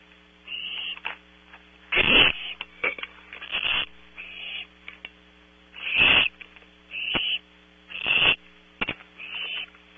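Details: Nest camera at Audubon Starr Ranch, California, picks up barn owl owlets at night producing repeated harsh, breathy screeching hisses, some short and some longer, irregularly spaced, over a low continuous hum.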